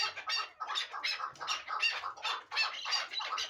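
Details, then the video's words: Hybrid partridge of a fighting and hunting line calling in bursts of rough, clucking notes, grouped phrases of two or three syllables repeated with short pauses between them. "Кабки Гибрид"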